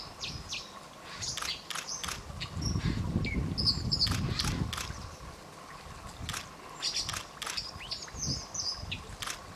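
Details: Territorial fight between White-throated dippers on the Thin river at Warby, France. Brief piercing high notes come in irregular clusters over constant river noise, with loud splashes and churning water in the middle.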